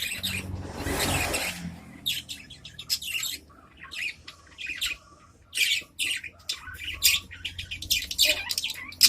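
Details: Adult budgerigars chatter to each other in their cage: a dense run of high chirps, squeaks and harsh squawks in quick bursts, after an early broad rustling noise.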